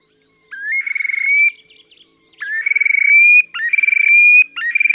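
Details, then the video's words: Terek sandpiper in display, Oka Nature Reserve, Russia, 30 April 2019: after a pause, a run of repeated phrases, each a short rising note leading into a fast throbbing trill and a drawn-out, gradually rising whistle. "Мородунка Xenus cinereus, токовые крики / Terek sandpiper song"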